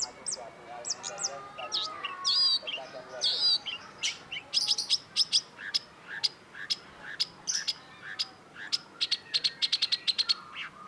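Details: Long-tailed shrike in energetic, varied song: twittering trills and whistled phrases early, then rapid runs of sharp high clicks and chips accelerating toward the end.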